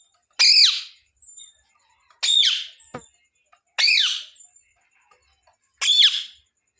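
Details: Pet talking parrot (mitthu) repeating harsh, shrill squawks indoors, four loud downward-sweeping calls roughly every one and a half to two seconds, with quiet pauses between.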